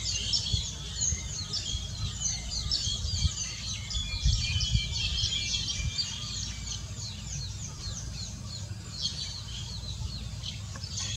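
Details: Green bee-eater recorded on 31 July 2019, giving rapid high trilled chirps in irregular bursts over steady low rumbling background noise.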